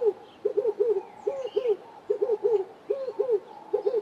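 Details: A Red-eyed Dove in a garden in the Eastern Cape, South Africa, gives deep, hoarse coos in quick groups of two or three, repeated in a steady rhythm, with faint chirps from other birds behind.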